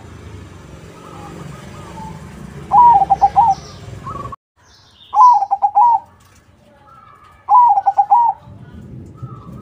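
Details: Crossing zebra dove song meant to lure other doves into answering: three pulsing coo phrases of about five notes, spaced two to three seconds apart, over steady background noise that cuts out abruptly partway.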